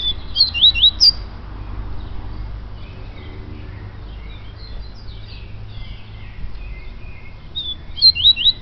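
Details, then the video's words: Yellow-bellied seedeater singing: a quick burst of high whistled, slurred notes at the start, faint chirps in between, then another bright twittering phrase near the end over a low background rumble. "COLEIRO BAIANO"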